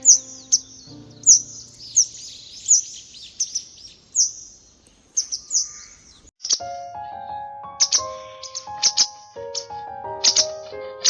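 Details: A grey wagtail parent, whose nest was in a shed, gives sharp, high, thin chirps in quick irregular bursts while searching for chicks that left the nest; soft piano-like music joins halfway.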